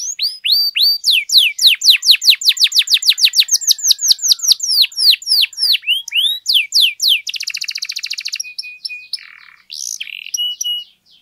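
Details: Lure song from a canary, played to excite other canaries: a long, even series of downslurred notes about three per second, followed by a buzzy rattle and short flat whistles.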